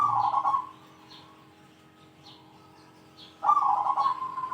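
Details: Zebra dove in the big 'kung' style, calling rivals. A rolling coo opens the recording. After a pause with distant faint chirps, a loud, long, warbling coo follows.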